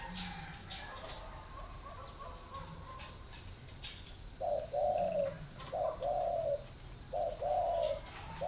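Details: Spotted dove at a bird garden in Ba Vì, Hanoi, northern Vietnam: after a quiet start with faint notes, a string of low mellow coos in short-long pairs begins halfway and repeats, while a continuous high insect buzz persists.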